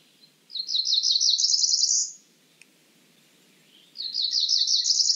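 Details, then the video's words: A cerulean warbler delivers two phrases of quick, buzzy, high-pitched notes, each run accelerating and climbing upward for about one and a half seconds, separated by near silence with one soft click. "Cerulean warbler Calling."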